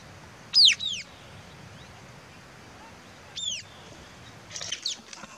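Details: White-capped tanager (Rey del Quindío) giving a few sharp, downward-sliding calls, one loud burst followed seconds later by fainter ones, with quiet, slightly hissy background between them.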